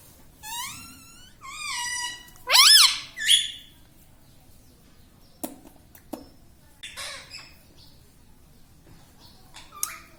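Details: Indoor pet ringneck parrot vocalising: a few tonal, bending squawks early on, then scattered faint clicks and soft noises in a quiet room.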